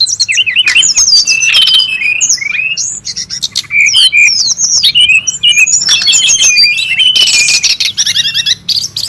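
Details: Brown-chested jungle flycatcher in the wild, calling noisily without pause: bright, high, fast-changing whistles, twisting slurs and thin chips that crowd and overlap from start to finish, with no other sounds intruding.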